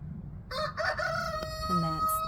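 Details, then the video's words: Rooster crowing during a crow-off between roosters that alternate calls; a drawn-out harmonic crow with a steady held tone, over low background rumble. "If you love the sounds of roosters crowing."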